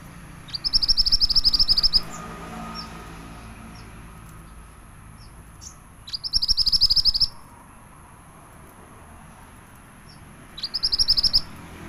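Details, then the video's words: Pied bushchat, described as a large, vigorously singing bird, giving three bursts of rapid, high, bright chattering trills, each about one to one and a half seconds long, separated by pauses of several seconds over steady low background hum. "MANTENAN BESAR GACOR"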